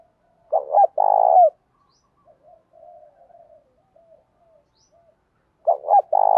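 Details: Spotted dove in 'thổ pha đồng' voice, singing to urge a fight and used for training wild-caught birds. One full phrase of two short notes and a long vibrating coo, soft low mutterings, then another phrase beginning at the end.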